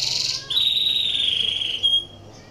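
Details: A canary in breeding condition, used to stimulate other canaries to sing: a brief high trill, then a long, sustained, slightly falling pure whistle ending in a short sharp note.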